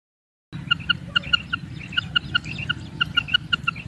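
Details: A female common quail calls: quick series of short clipped pips, roughly four to six per second, starting after a brief silence and running to the end, with a low droning hum underneath.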